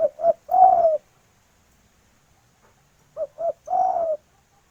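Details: Female spotted dove calling to a male, a local Indonesian bird, natural sound: two short low coos followed by a longer drawn-out coo, the three-note phrase repeated after a pause of about two seconds, with a quiet background.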